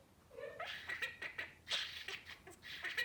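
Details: Male albino budgerigar mimicking human speech: a few quick, buzzy, high-pitched word-like bursts with short gaps, quiet and close, in a home setting.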